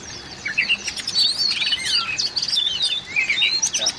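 Oriental magpie-robin giving a rich, varied stream of high whistles, rising and falling sweeps and short chirps, nearly continuous, with a faint hiss behind.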